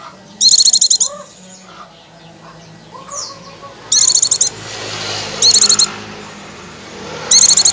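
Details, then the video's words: Oriental white-eye song played as a lure to trigger pleci singing straight away: four brisk, piercing chattering bursts of under a second each, with low soft whistles and a faint hiss between them. "pancingan pleci agar langsung ngecir"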